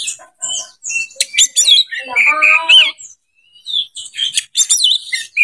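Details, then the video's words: Oriental magpie-robin song meant to seek a fighting rival: a rich, varied run of whistles, trills and sharp chirps, some notes buzzy and held, delivered in bursts with a brief pause mid-way. "CARI LAWAN TARUNG ⚪ RELAKSASI KACER SUSAH BUNYI BIKIN BERKICAU PANJANG"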